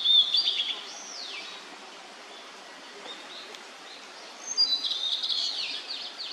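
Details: Young blue-and-white flycatcher giving high whistled phrases with a sliding downward note at the start, a long quiet gap, then a busy warbling burst near the end against soft ambient noise.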